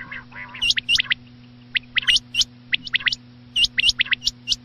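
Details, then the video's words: Night-time quail calls: a brisk series of sharp, upward-hooked, high notes, often doubled, with an early lower nasal burst. A constant low hum continues underneath. "batair chinag ki max awaz raat ke laiy"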